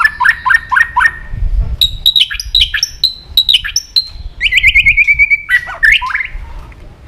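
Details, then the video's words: White-rumped shama provoked into aggressive song: repeated whistled couplets, high sharp notes, then a long fast descending trill and final whistled slurs. "AWAS MURAI BATU MU IKUT EMOSI"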